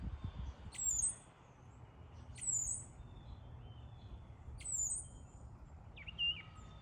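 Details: Sparrow calling with sharp, high, down-slurred chirps repeated about every one and a half to two seconds, ending with a lower, shorter note, against a quiet background.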